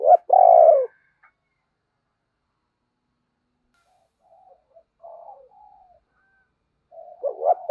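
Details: Spotted dove kept as a decoy for attracting other doves: a loud low coo phrase opens, faint quieter coos follow in the middle, and another phrase begins at the end.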